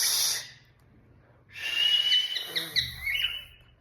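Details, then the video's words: Pet cockatiel indoors giving a short harsh burst, then after a pause a longer buzzy, warbling screech with a steady bright tone that breaks into rasping notes near the end. "Sweet sound of my cockatiel"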